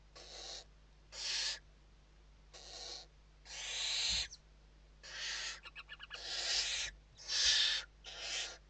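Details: Western barn owls in a nest box in Spain during evening feeding, 29 November 2023. Rasping hisses of varying length repeat in quick succession, with a brief burst of rapid clicking ticks midway and a soft thump.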